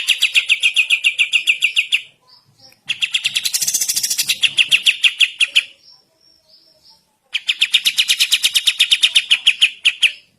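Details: Morning singing by a sooty-headed bulbul: three long bursts of fast, repeated bright notes with short gaps and a few faint calls between them.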